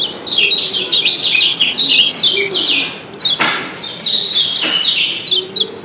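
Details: Lombok kecial kuning, a yellow white-eye, twittering continuously in a high register during an exchange of answering double 'ciak' calls. Two sharp clicks break through midway.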